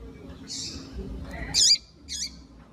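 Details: One loud, high squeaky note with a downturned end, followed by a softer similar note, from a female double-collared seedeater calling to excite males, over a constant low hum.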